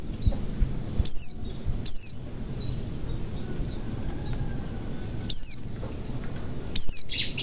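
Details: White-eye in ngalas style to coax silent birds into song: four isolated high, thin, falling chirps, two early and two late, with a long quiet gap between them.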